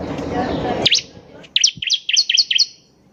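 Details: Bar-winged prinia singing as a lure for other birds: after a burst of broadband noise, a quick sequence of sharp, high, swooping chips and twittering notes lasting about two seconds.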